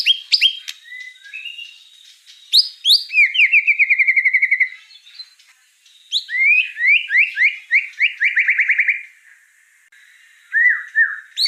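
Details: Lively white-rumped shama song with pauses: sharp whistles, a fast rattling trill, quiet gaps, then a swooping run of rising notes into another trill, and soft low whistles at the end.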